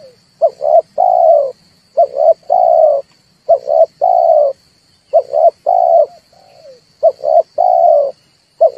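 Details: Lure recording of a red collared dove for bird trapping, meant to excite birds into calling; steady series of phrases, each two short hooting notes then a longer mellow coo, roughly six phrases, a high steady hum throughout.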